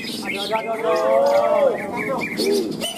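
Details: Contest-caged green leafbird (cucak ijo), class winner at a singing competition in Malinau, Indonesia, giving a sustained bright whistled phrase that rises and then drops sharply, then a shorter arched note, over background bird chatter and crowd noise.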